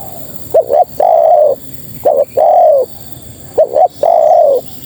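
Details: Spotted dove female calling males, repeating a phrase of two quick rising notes and a drawn-out level coo that sags at the end, three phrases spaced about one and a half seconds apart.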